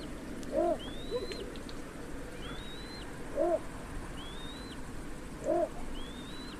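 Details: Three low, abrupt barks from a little bittern, spaced about two and a half seconds apart, each followed by a thin upslurred whistle from another bird.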